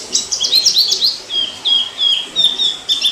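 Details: Orange-headed thrush singing in the wild, 2018: a quick jumble of high warbled notes, then drawn-out thin whistles repeated about every half second.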